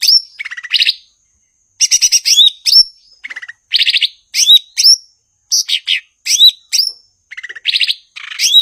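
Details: A blue-winged leafbird in energetic song: rich, rapid medley of rattling trills, bright whistles dropping in pitch and dense chattering bursts, repeated with short pauses.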